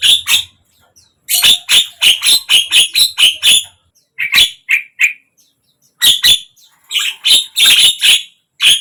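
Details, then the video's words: Javan myna voice meant to get a silent bird to open its beak and sing: rapid series of loud, harsh, scratchy chattering notes in irregular bursts with brief pauses. "suara JALAK KEBO BISU BIAR IKUT BUKA PARUH"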